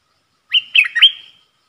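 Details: From a song duel between a caged bulbul and wild birds, 3 October 2021: one short, liquid phrase of three slurred whistles that ends in a fading drawn-out note.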